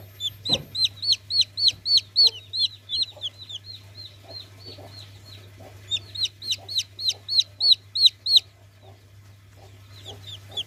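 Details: Chick giving loud high peeps, each a sharp downward-sliding note, fired in two rapid runs of about a dozen peeps at several per second, separated by a pause, with faint softer peeps and a steady low hum in the background.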